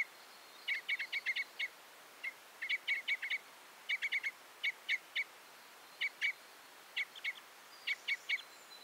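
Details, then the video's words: Crossbill, common or red, uttering quick bursts of sharp chipping notes in groups of two to five, with a faint thin whistle in the background. "The sound of the Red/Common Crossbill"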